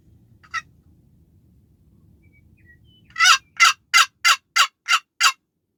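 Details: Wild turkey gobbling on opening day of archery turkey season, heard from a blind near a pasture by a river; a brief faint note, then a loud rapid series of seven harsh throaty pulses.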